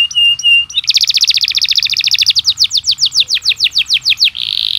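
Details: Atlantic canary song played to make other canaries sing: two steady whistled notes open, then a rapid high rolling trill that slows into falling sweeps, closing on a buzzy sustained note.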